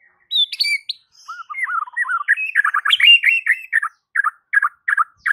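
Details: White-rumped shama singing to provoke other shamas into singing: a loud varied run of whistled and chattering phrases, rising and falling notes, then rapid repeated chirps toward the end.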